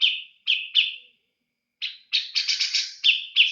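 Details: Captive grey-cheeked bulbul kept by an owner: short harsh notes slurring downward, given singly and in pairs. After a pause comes a rapid stuttering burst of rattling notes, then two more slurred notes. No other sounds.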